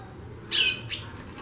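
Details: Female white-bellied seedeater singing frequently, giving a bright downward-slurred whistle and then a fainter short chirp, with low background hum.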